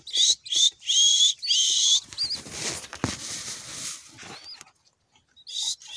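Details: Pet pink-necked green pigeon whistling. Loud rising notes open the sequence, then fade into rustling and shuffling noise with a soft knock, and a final whistle follows near the end.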